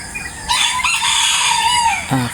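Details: Rooster crowing in the morning, one of many crowing chickens nearby: a single loud, harsh, drawn-out crow with a rich buzzy tone, holding steady and then dropping at the end, followed by a brief lower sound.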